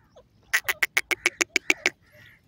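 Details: Iranian partridge, also called teetar: a rapid series of about nine loud, harsh, evenly spaced notes, each a broad burst, delivered in under two seconds, followed by a brief pause and a further note.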